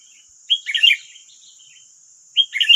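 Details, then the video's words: Wild sooty-headed bulbuls calling back at a decoy bird in West Lampung, Indonesia, nine against one: two bright, tumbling whistled phrases roughly two seconds apart, with a steady thin high hum throughout. "BERISIK AJA || 9 Burung Liar Lawan 1 Pikat || Kutilang"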